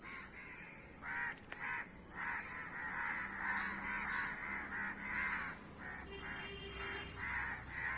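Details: Many crows calling together, harsh nasal caws overlapping in a steady, irregular stream of about two per second, with a constant high hiss behind.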